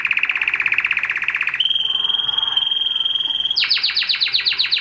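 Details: Song of a Spanish Timbrado canary: a rapid rattling trill, then a pure, steady whistled tone lasting about two seconds, breaking into a fast series of sharply rising, swept notes.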